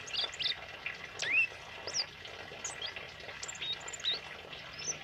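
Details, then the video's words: Tame male pied fantail singing in a lively, wild style: scattered short squeaky whistled notes, some sharply rising or falling, high-pitched and irregularly spaced over a steady hissing background. "Suara Burung Kemade Jantan Jinak Gacor Ngalas"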